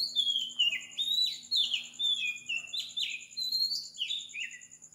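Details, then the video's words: Oriental magpie-robin singing continuously at 4 am in Sri Lanka: a lively string of fluted downslurs, rising flicks and chipped notes roughly twice a second, set against a steady high pulsing hum. "Magpie Robin Singing"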